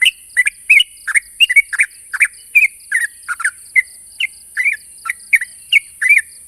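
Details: Sooty-headed bulbul calling out an opponent: loud, rapid, slurred and rolling notes in tight pairs and triplets, fairly continuous throughout, over a persistent high-pitched hiss and faint pulsing.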